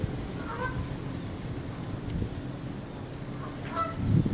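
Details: Male Canada goose honks to the female while prodding her, 24 September 2015 at 9:15 am: two nasal, slightly rising honks about three seconds apart over a steady low rumble of background noise.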